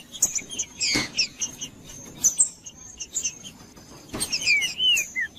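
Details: Captive green-winged saltator singing, a natural stimulating recording meant to warm up a cold bird and make it sing for tournaments; short whistled phrases with downslurred notes, broken by sharp knocks, over a steady faint high hum.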